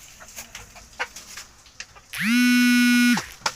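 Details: Rooster crowing: one loud, sustained, harmonic crow rising sharply then held level for about a second, preceded by scattered soft clucks and clicks.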